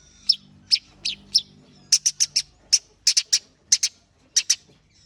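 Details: Long-tailed shrike warming up its song: a run of sharp, high, clipped notes, first spaced singly, then in quick pairs and triplets, about fifteen notes in five seconds, with a faint low hum beneath.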